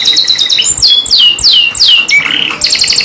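A canary sings a fast, loud run of high whistled notes, with rapid trills and sweeping downslurred phrases following one another without pause.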